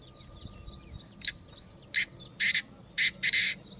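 Chinese francolin giving a quick series of five loud, harsh, grating bursts about half a second apart, over faint twittering from other birds.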